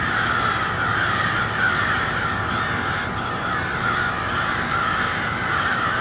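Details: Many crows cawing together at cold twilight in Westport, Kansas City, a harsh, unbroken mass of calls with brief louder bursts, over a low hum of the surroundings.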